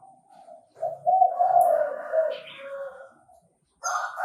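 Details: Chinese francolin, recorded where birds are trapped, gives a drawn-out harsh call that fades away, then starts a fresh loud note after a short silence.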